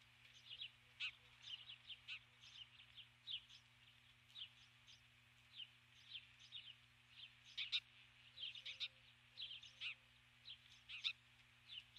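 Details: Female osprey calling at the nest at dusk for her mate, 21 July 2015; an extended sequence of shrill, high chirps in quick uneven bursts, occasionally sharper and louder, a faint low hum throughout.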